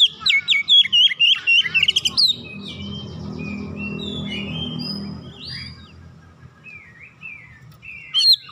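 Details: Long-kept domestic Oriental magpie-robin singing 'ngoyak' after hearing another bird: a loud, quick volley of sharp whistled notes lasting about two seconds, then faint distant chirps over a steady background hum.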